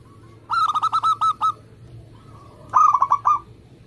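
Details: A local zebra dove in active song, used for luring and prompting other doves: two bursts of fast, bouncing mid-pitched coos, eight notes then six, separated by a quiet gap with soft notes.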